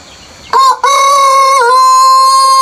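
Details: Early-morning rooster at a countryside farm before sunrise, giving a powerful crow: a short opening burst, a tiny gap, then a long, even, sustained call that slides slightly lower near the middle and carries on steadily.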